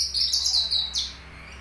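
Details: Caged Horsfield's bush lark, race aliena from Papua, with finch phrases in its song: one loud, very high, piercing twittered phrase ending in a sharp downward note.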